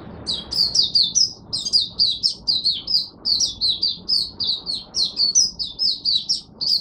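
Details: Oriental white-eye, caged in Singapore, performing its opening song under an overcast, rainy sky on 23 March 2023: an unbroken, lively stream of high, twittering slurred notes repeated rapidly for seven seconds.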